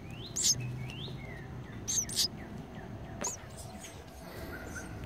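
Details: Baby house sparrow nestlings inside a birdhouse chirping for food: short, harsh, high chirps in brief bursts near the start, around two seconds and again past three seconds, over steady low background hum and noise.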